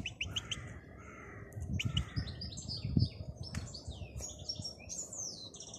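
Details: European goldfinch in the wild: a varied stream of high chirps, slurred whistles and twitters, over low rumbling background noise.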